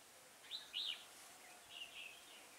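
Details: Red-whiskered bulbul used as a decoy bird for trapping: two short warbled phrases near the start, then softer slurred notes later, over steady background hiss.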